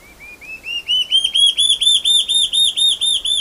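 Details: Large-tailed antshrike singing a loud series of clear whistled notes, each slightly arched, starting low and quiet then rising steadily in pitch and volume, about four notes per second.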